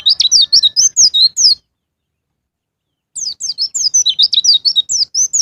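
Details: White-eye song in the loud wild style locally called ngalas ngeplong, played as a lure to prompt caged birds to sing: fast bursts of high, sharply slurred chirps repeated for about a second and a half, a pause, then another two-second run.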